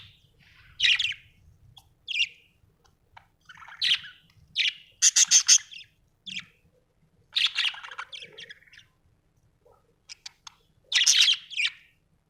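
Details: Budgie chirping in scattered bursts over about twelve seconds: sharp chirps, a run of buzzy harsh notes near the middle, and warbled phrases separated by silences.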